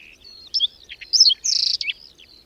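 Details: Short whinchat phrase in a windy May blizzard in the Berezinsky Biosphere Reserve: grating chattered notes, then a buzzy sustained high trill and a falling whistle.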